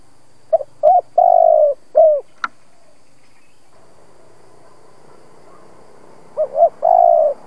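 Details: Mature decoy spotted dove whose voice provokes other doves to coo. Two coo phrases a few seconds apart, each of short low hooting notes ending in a long, steady, slightly falling coo, with a faint click between and quiet background.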